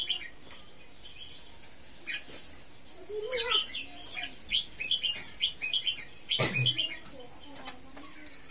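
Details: Red-whiskered bulbul singing: short, bright whistled phrases of quick rising and falling notes, delivered in bursts among a few brief pauses, with some low background rumble and a sharp click.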